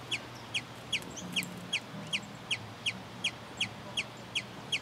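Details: Sombre hummingbird singing to defend its territory: a steady series of about twelve sharp, high, ticking chips, one roughly every 0.4 seconds, with a faint low hum underneath.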